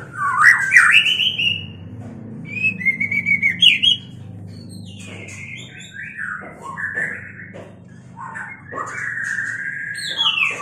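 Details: White-rumped shama in mating condition: loud varied song with rich slurred whistles, scratchy high notes and sweeping phrases that rise and fall, delivered in bursts with short pauses.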